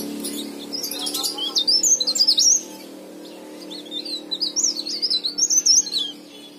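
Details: Leaf warbler in full, lively song, offered as a lure to prompt silent or novice leaf warblers to sing; two bursts of rapid, high, thin twittering with quick rising and falling notes, split by a short pause, over a steady low hum.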